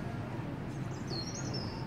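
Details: European robin singing indoors in a Dehner garden centre on 1 March 2018, where the birds live and are fed. It gives a brief, thin, high sliding note settling into a sustained, wavering whistle over a steady low indoor hum.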